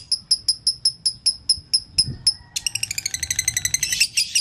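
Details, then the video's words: Lovebird singing vigorously in the konslet style, used as a master recording to train other lovebirds: a steady run of sharp, high chirps about four per second, then a faster, denser burst of ringing chirps toward the end. "LOVE BIRD GACOR ( KONSLET )"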